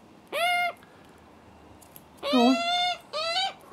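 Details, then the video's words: Juvenile Australian magpies on their first visit give three drawn-out, nasal, harsh wailing begging cries, each under a second, screaming hungrily for food while their very nervous, cautious father is nearby. "screaming hungry juvenile Magpies"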